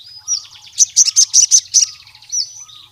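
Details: Wild-style sunbird calling a rival male: soft thin whistles around a short run of six loud sharp high notes, spaced evenly, then a final quieter whistle.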